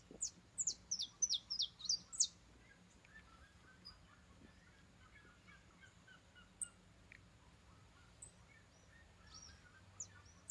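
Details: Saffron finch singing in a backyard in the countryside: a quick run of bright, high, falling chips in the opening two seconds, then only scattered faint notes over a quiet, low-humming background.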